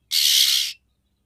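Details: Oriental magpie-robin female giving a call meant to excite the male for mating: a single loud, scratchy, hissing rasp of roughly two-thirds of a second, with no other sounds.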